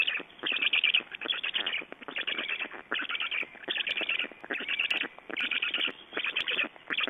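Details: Black storks in Estonia during feeding on 11 June 2012 at 22:44, giving rapid, harsh, rattling bursts of calls in regular pulses about once a second, with short gaps between bursts.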